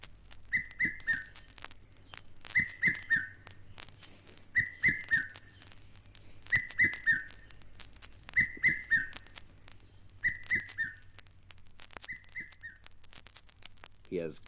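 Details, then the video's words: Red-chested Cuckoo, known as the Rainbird because its song is often heard in the wet seasons, in East Africa repeats a loud, whistled three-note phrase that falls in pitch, about every two seconds, over a low steady hum. "red chested cuckoo is called the Rainbird because its song is often heard during the wet seasons here's"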